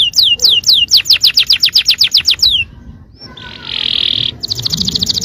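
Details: Yellow canary singing a fast trill of rapid descending whistled notes, roughly five per second, pausing for a steady buzzy tone before resuming an even quicker high rattling trill.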